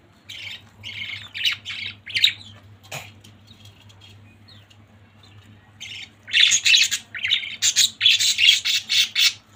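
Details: A family of budgerigars chattering: bursts of harsh, bright chirps and squawks come in quick clusters, pause for about three seconds, then return as a denser, louder run of rapid chirping.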